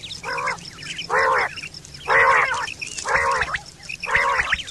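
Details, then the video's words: Quail calling in the morning: loud, nasal, harmonic bursts, each about half a second long, repeated about once a second, five in a row, with a faint low hum behind. "Quail sound || batair ki awaz || batair subah ki awaz"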